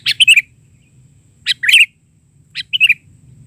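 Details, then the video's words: Sooty-headed bulbul (kutilang) gacor, isian-style bahari song: three short liquid phrases of two or three chirped notes each, roughly a second apart, over a faint low hum. "Suara isian...burung kutilang gacor versi bahari"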